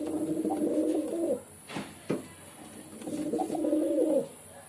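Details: Two rolling, throaty pigeon coo phrases, one at the start and one near the end, separated by a quiet stretch with a couple of clicks.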